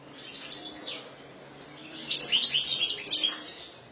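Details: European goldfinch kept by a breeder, singing: faint scratchy notes early, then a burst of bright, rapid twittering and buzzy high trills with sharp metallic chips in the second half.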